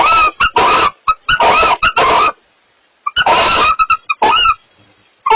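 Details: Barn owls mating give harsh, hissing screeches in quick bursts: a run of them, a short pause, then another loud series with chittering notes between.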